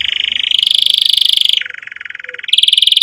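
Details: Canary singing vigorously, offered as a lesson for young canaries and as therapy for non-singing birds. A long fast trill drops abruptly to a lower roll, then jumps back up to a high trill.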